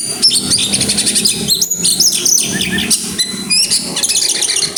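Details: Oriental magpie-robin grabakan song packed with isian fill-in phrases: continuous rapid high notes, buzzy chatter and brief pure whistles, over a soft low rumble throughout.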